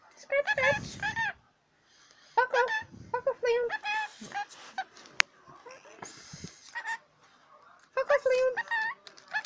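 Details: Pet scaly-breasted lorikeet swearing over his toy, producing a string of speech-like mimicked phrases with clear harmonic, voice-like syllables in bursts separated by short pauses, plus one sharp click.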